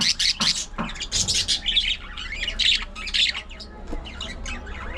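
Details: Budgerigar colony in an aviary, noisy overlapping squawks and harsh chattering chirps, dense at the start and thinning toward the end.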